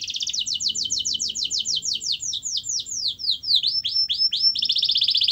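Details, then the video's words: Canary song used to coax a reluctant canary into singing: a fast series of rapidly repeated descending notes, slowing into separate swooping notes, then a loud rolling trill. "Kenari Anda MALAS BUNYI, Coba Putar Video Ini !!!"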